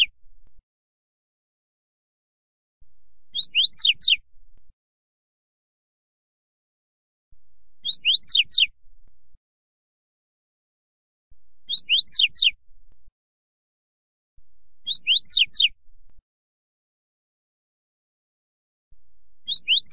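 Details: Double-collared seedeater short 'fibra' song for teaching a young bird: five compact phrases of rapid high, descending whistled notes recurring every three to four seconds, clean and without background sounds.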